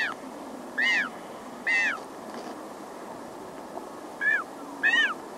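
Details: Close-up of a very small Magellanic penguin chick crying: short, thin, arched peeping cries in uneven bursts, with adults' aggressive hissing and a distant colony behind.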